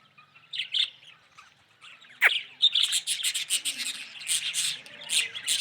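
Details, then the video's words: Yellow budgerigar calling: scratchy chirps and warbled squawks in bursts, denser and more continuous in the second half. "Yellow budgy"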